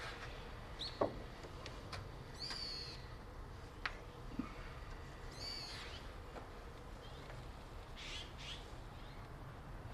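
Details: Azure-winged magpie flock at a park bird sanctuary beside a frozen pond, winter, 10 January 2021; two harsh, raspy, arching calls spaced about three seconds apart, with scattered clicks and faint chirps between them.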